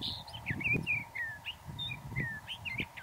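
A sage thrasher sings a long, unbroken warble of quick, varied, sweet phrases, some rising and some falling, over a low rumble of wind.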